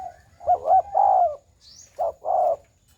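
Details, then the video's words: Spotted dove giving a full, round coo (gù tròn): a short two-part lead-in, then a long mellow note, repeated after a pause. A brief high rising chirp sounds between coos over a faint steady high whine. "Chim cu gáy gù tròn, giậtcánh hay"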